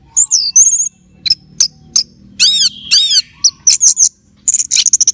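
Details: Orange-headed thrush in a cage before a song contest, pouring out loud high whistles, paired arching slurs and a closing run of rapid clipped chirps, fairly clean with little background sound.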